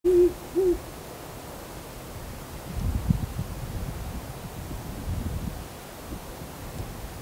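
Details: Owl calling on a cold night around 7:15 pm on December 23, recorded with a handheld Sony HDR-CX430V camcorder and an Audio-Technica ATR55 telephoto mic: two short, low hoots in quick succession at the start, then quiet hiss with faint low rumbling.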